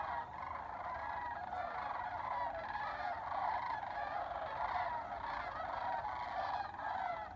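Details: Many sandhill cranes calling together on spring migration near Albuquerque, New Mexico, a continuous wash of overlapping rolling, trumpeting rattles with no pauses.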